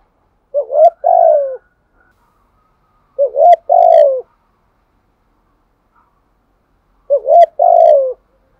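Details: Spotted dove used as a decoy to draw in wild doves, Đồng Son voice. Three coo phrases spaced about three seconds apart. Each is a short upturned note followed by a longer, mellow, falling coo in a quiet setting.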